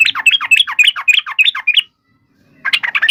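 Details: Yellow-vented bulbul in combative song meant to draw an answer from other birds. A fast string of rolling, down-slurred chirps lasts almost two seconds. After a silent gap, renewed chattering begins.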